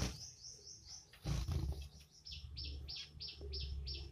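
A male zebra finch sings a quick series of high, nasal notes over a low background rumble.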